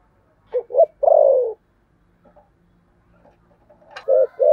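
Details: Thổ sấm-voiced spotted dove cooing thúc gù style: a clipped double note and long falling coo, a quiet gap with faint murmurs, then the next phrase beginning.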